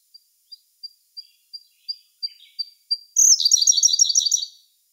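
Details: Siberian blue robin song recorded in May 2021 on a Sony A1 camera: nine thin, high, evenly spaced ticking notes, about three per second, lead into a loud, fast, rattling trill.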